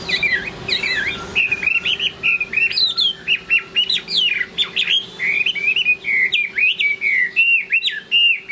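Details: A Chinese hwamei sings at the end of the day, pouring out fast varied whistles that twist up and down, many short phrases in steady succession against a low background hum.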